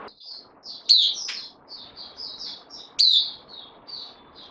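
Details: Bulbul kept as a newcomer on loan, 12 September 2020: soft, varied high warbled phrases broken by two louder, sharper chirps about two seconds apart, with low background hiss.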